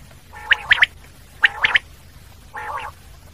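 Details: Two brisk three-note phrases from a common quail, each note short and sharp, then a lower nasal buzzing call; a steady faint hum lies underneath.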